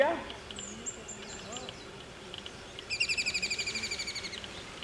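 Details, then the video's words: Kingfisher calling: after brief speech and faint chirps, a fast rattling series of about fifteen high, harsh notes runs for over a second, fading slightly toward the end, over steady outdoor background noise. "kingfisher call_खंड्या"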